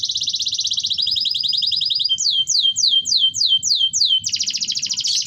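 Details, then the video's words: Canary song played to prompt silent canaries to sing and to excite females in breeding condition: a fast, dense buzzy trill, then a slower run of repeated descending whistled sweeps, ending in another rapid rattling trill over a faint low rumble. "pancingan kenari ampuh wit wit werrr ngerol"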